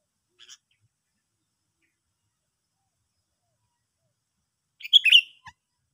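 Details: Sooty-headed bulbul: a faint short chip, then four seconds of silence, then a louder, rapid, slurred chirping burst with a quick trailing note, all against a clean, silent background.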